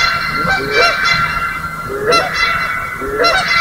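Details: Morning chorus at Johnson Prairie, May 4, 2016, where Canada Geese and Sandhill Cranes call loudly. Three groups of curving, rising honks, each about a second long, sit over a dense, continuous ringing crane background.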